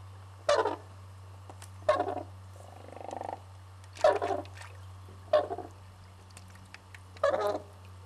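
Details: Red-crowned crane (Grus japonensis) at Pensthorpe Conservation Centre, Norfolk, UK, gives five loud, harsh trumpeting calls about every two seconds, with a softer rattling note between them, over a steady low hum.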